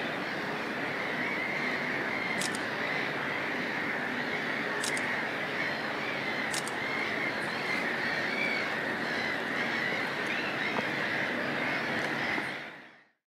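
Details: Black-headed gulls (Chroicocephalus ridibundus) nesting at Lahti harbour: a dense colony din of many birds, harsh overlapping screeches running together without pause, a few sharp clicks, constant rushing background.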